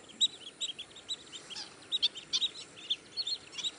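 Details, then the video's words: Long-billed Dowitchers give sharp, high keek notes in an uneven chatter, two or three per second, with a faint hiss of background noise. "Long billed Dowitcher"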